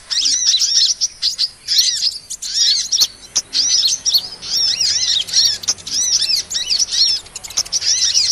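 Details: Trapping lure of small sunbird calls: high, thin, arched chirps in quick trains separated by short pauses, each note shadowed by a softer lower tone, with occasional sharp clicking sounds.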